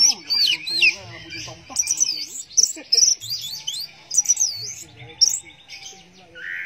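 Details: Orange-headed thrush singing in the teler style: a rich, fast medley of high whistled slurs and warbles, rising and falling in quick bursts separated by short pauses, with a faint low hum underneath.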